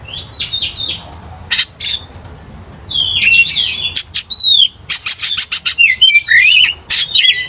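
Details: Oriental magpie-robin, a strongly singing bird that baits another into agitation; soft warbles first, then a dense run of sharp clicks, upward-swept whistles and rapid harsh chattering notes.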